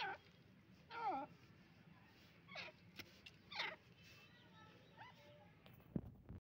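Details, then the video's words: Dakhni partridge male calling: harsh, warbling call notes come at irregular gaps of one to one and a half seconds, with softer chirps and brief clicks between them against a steady low hum. "Dakhni teeter nar"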